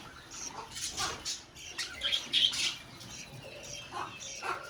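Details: Colony of budgerigars heard as scattered bright chirps and short warbled notes, swelling into a louder cluster of squeaky calls midway before thinning out again.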